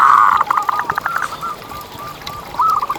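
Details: Active local zebra dove, a lure to make other zebra doves sing: a loud, fast burst of stuttering coos at the start, then quieter trailing notes and a short renewed phrase at the end.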